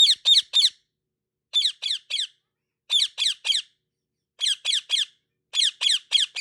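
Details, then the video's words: Parrot giving quick bright chirps or kiss-like smacks in tight bursts of three to four, bursts repeating about every second and a half, with silence between. "Parrot Chirping sound with lots of kisses"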